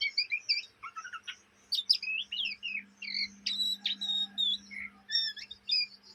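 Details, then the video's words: Young Oriental magpie-robin chattering, a kept bird said to do so day and night. Lively stream of sharp chips, buzzy fragments and short whistled slurs, with a faint low hum in the background. "kacer bahan ngriwik siang malam"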